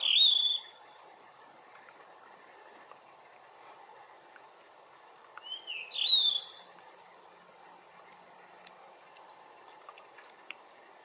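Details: Blue rock thrush in morning sunlight delivering short fluty phrases, one at the start and another about six seconds later, each a quick upward-sweeping whistle, with soft ambient noise between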